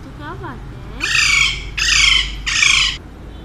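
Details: A pet talking Alexandrine parakeet gives a soft warbling, speech-like murmur, then three loud, harsh, raspy squawks about a second apart; finding: Alexandrine parakeet.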